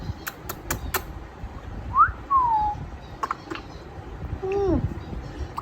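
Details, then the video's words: An 8-month-old pet grey parrot, recorded 1 November 2022, gives a few sharp clicks, then short whistles sliding up and down, ending in a lower descending whistle; it tries to repeat words, ringtones and doorbells. "gray parrot start talking"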